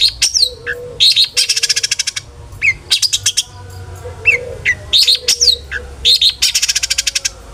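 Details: Long-tailed shrike, a singing bird used to provoke other shrikes into song: harsh broadband buzzy bursts alternating with rapid stuttered rattles and sharp down-slurred whistles, repeated in lively phrases with a faint steady low hum behind.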